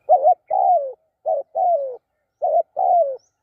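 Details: ['Spotted dove cooing in three paired phrases. Each pair is a short wavering note followed by a longer coo that slides downward. Quiet gaps separate the pairs, with no other sounds.']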